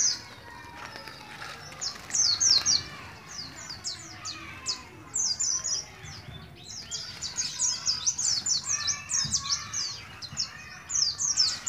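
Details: Young Oriental white-eye from Moga, Pemalang, Central Java, a kept bird just beginning to learn the ngalas ngeroll song style: rapid high twittering bursts of thin, sharply falling notes in irregular runs, with a faint low hum beneath.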